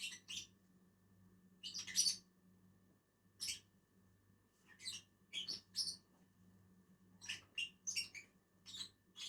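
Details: Pair of lovebirds feeding on a tree: crisp, very high chirps in short clusters, a pause, then a rapid series of sharp twitters, over a faint hum.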